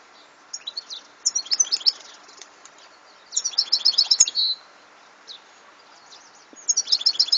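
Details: Repeated phrases of European goldfinch song: bright, fast jingling twitters, one ending in a drawn buzz, with pauses between phrases.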